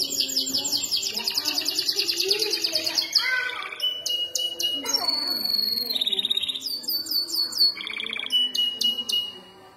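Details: Night-time canary song meant for tutoring other canaries: long buzzy rattling trills at the start, then rapid clicking series, level whistled notes and a rolling trill, loud and continuous, with faint low background tones.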